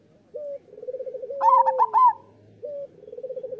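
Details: Local zebra dove song intended to prompt lazy doves to sing: a short hoot, a soft purring roll, then a loud bubbly trilled burst, followed by another hoot and purr.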